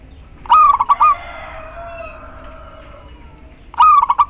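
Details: Calling female local zebra dove, used as a lure for silent males: two stuttering cooing phrases of quick, rolling notes, separated by about three seconds of low hum.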